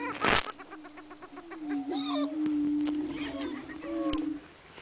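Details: Greater prairie chickens booming on the lek at Buena Vista Marsh on 21 April 2007 in spring: a steady low hollow hoot held for about three seconds, with higher whines and cackles around it and a sharp burst near the start.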